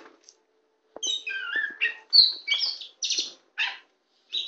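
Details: Tame kacer poci (Oriental magpie-robin) sings while held on a hand: after a quiet second, it gives sweet sliding whistles and then spaced, scratchy chirps. Faint clicks are audible.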